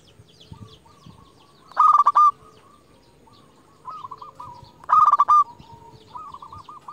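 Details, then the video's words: Zebra dove of local stock, sung as a lure to draw rival birds: soft coos alternate with two loud, stuttered bursts of rapid notes about three seconds apart. "Perkutut lokal gacor JUARA Pikat terbaik paling jago memanggil lawan"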